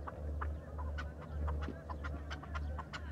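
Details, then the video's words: Farmed chukar partridge uttering spaced, clipped chuck notes at an uneven pace, with a heavy low-pitched hum underneath. "فارمی چکور کا آواز"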